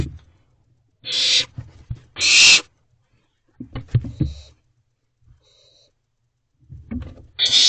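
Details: Younger barn owlets still in their nest box, eating rodents at 1:45 am on 4 June 2023; loud hoarse hissing screeches in short bursts, mixed with shuffling, scraping and tearing sounds from the box.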